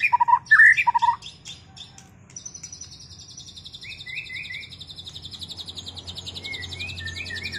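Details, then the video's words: Post-moult white-rumped shama in a song duel: loud whistled notes at the start, then a long buzzy high trill with quieter slurred whistles woven in. "Duel murai batu lepas mabung"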